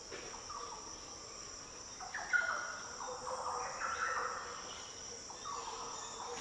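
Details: Green Oriole singing in the Daintree rainforest, Australia: softer, more distant deep fluty, liquid phrases from about two to four and a half seconds and again near the end, with a constant high-pitched insect hum throughout.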